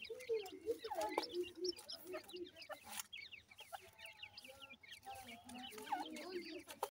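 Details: Feeding grey francolin chicks give a steady chatter of brief high-pitched peeps from several birds at once, mixed with low clucks and occasional sharp clicks.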